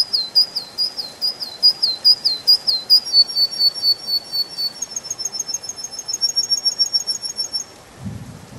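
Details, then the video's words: In a spring forest, a canary sings a long rolling trill of repeated bright syllables that shifts midway to a faster, thinner buzzing trill, ending with a soft low thump. "Пение канарейки, канарейка поет в весеннем лесу"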